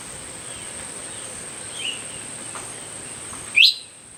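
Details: Faint high chirps from a myzomela, recorded December 25, 2022, build to one loud, sharp, upward-sweeping call near the end, while a steady insect whine runs throughout.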